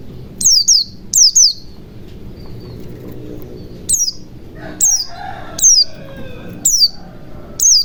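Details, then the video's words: White-eye song used to coax silent white-eyes into song: sharp, high, falling chirps in pairs and singles, with fainter mid-pitched chatter from another bird partway through. "pancingan pleci macet bunyi agar cepat gacor ,ngalas ,buka paruh"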